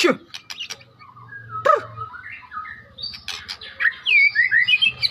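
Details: Medan white-rumped shama song: scattered whistles and clicks at first, building to a rapid run of high, sweeping whistled notes near the end, with background noise and a low hum throughout.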